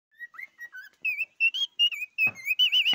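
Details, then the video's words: Cockatiel singing: a string of clear, high whistled notes, some flat and some wavering or trilled, growing louder toward the end, with a couple of sharp clicks near the close. "попугай корелла поёт"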